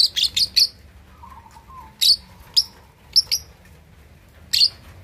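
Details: Lovebird aged two and a half months practising its chatter: a quick run of four shrill chirps, then single and paired piercing notes spaced about a second apart over a soft hum.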